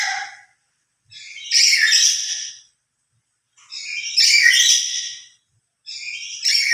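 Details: Lory screeching loudly, a call it gives when emotional and more forcefully when kept without other lories: harsh, broadband cries repeated about every two and a half seconds with clean silences between.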